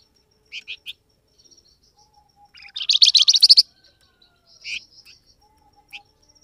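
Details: Flamboyan bird calling to provoke a response from wild birds: three quick high chirps, a dense fast trill of bright notes in the middle, then single scattered chirps.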